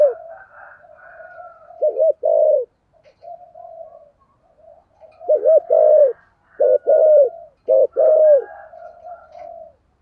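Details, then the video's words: Decoy spotted dove calling in the thổ voice style to provoke wild doves: mellow low coos in short bursts, several phrases of quick notes ending in a longer held coo, with softer background cooing between phrases. "cu gáy giọng thổ kích bổi rất hiệu quả"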